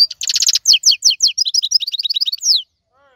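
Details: European goldfinch, wild, 2022 season: a brisk burst of bright twittering, fast and evenly paced at first, then looser tinkling notes ending in a downward slur, followed by a short quiet gap.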